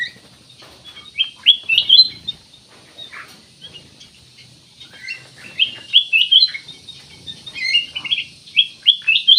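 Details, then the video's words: Black-naped oriole singing energetically, meant as a lure to trigger other birds' singing: a near-continuous run of rapid, clear whistled notes with quick upward and downward slurs, growing busier toward the end. "CUCAK EMAS \ KUTILANG EMAS GACOR, BUAT PANCINGAN"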